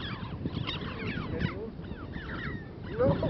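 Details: Red-billed choughs, members of the crow family, at Komik Village near Kaza in Spiti Valley, Himachal Pradesh, India, in the Himalayas. Several overlapping harsh, downslurred calls repeat rapidly over a steady low rumble.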